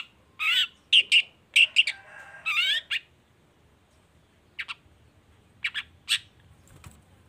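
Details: Long-tailed shrike (cendet baham) singing to lure other shrikes into song: squealing, warbled notes mixed with sharp chips for three seconds, then a quieter pause and a few scattered harsh notes.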